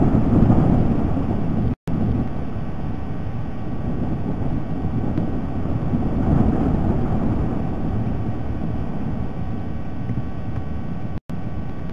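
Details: A steady low wind or traffic-like rumble, broken by two brief dropouts, with no animal calls.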